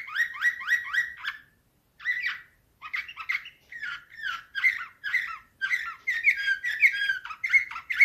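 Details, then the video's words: Canary song in the Slavujar nightingale style, recorded 2024: crisp repeated chirps in a row, short pauses, then increasingly fast, bubbling trills and whistled notes. "Uccello dell'usignolo delle Canarie Slavujar"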